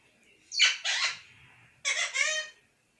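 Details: Talking parrot repeating "mithu mithu radhey radhey": two harsh, raspy, speech-like phrases, each made of two syllables, separated by a short gap.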